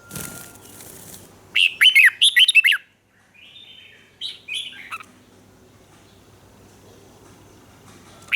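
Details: Red-whiskered bulbul from Thailand in southern master-style song, used to stimulate caged birds and teach young ones: a quick burst of bright, looping whistled notes, then a shorter second phrase after a pause, over faint background hiss.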